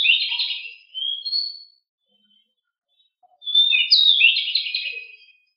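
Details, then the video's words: Pied bushchat, described as very agile and noisy, singing rolling phrases. Rich, scratchy warbles are split by a pause of over a second, with a few faint low chips in the background. "DECU sangat gesit suara sangat berisik"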